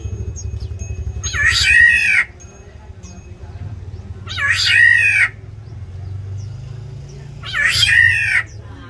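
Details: Black-naped orioles contest territory within an aviary, giving three rasping, nasal squalls spaced about three seconds apart. Each is harsh and drawn out, with a steady low hum running underneath.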